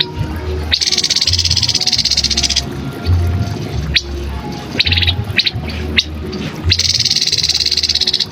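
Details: Grey-headed canary-flycatcher singing, recorded for training cagebirds: two long high buzzy trills of rapid pulses, each nearly two seconds, separated by a few short sharp chips, with low hum throughout.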